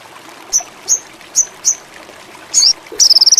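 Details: Ruby-cheeked sunbird (sogon indigo) lure for birds in high breeding condition: four crisp, short high chirps, a buzzy rasping note, then the start of a quick pulsed high trill.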